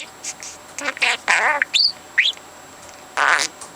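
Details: A 4-month-old pet talking parrot, which mimics words and overheard conversations and talks itself to sleep, chatters in short, voice-like syllables, gives two quick rising whistles, then ends with a longer raspy phrase.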